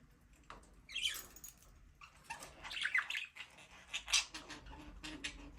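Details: Aviary budgerigars, Australian parrots, singing and playing together: busy overlapping chirps, warbles and scratchy squeaks run almost without pause, with a few brief louder peaks.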